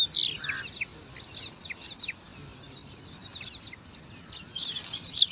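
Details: At a nest in alang-alang grass, five young bar-winged prinias vie for food, giving thin high chirps and scratchy squeaks in a steady rapid stream, with a soft background hiss.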